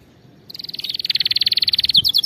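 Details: Canary trill for training canaries to sing: a single fast, evenly pulsed high tour rising in loudness, ending in a few sharper chopped notes.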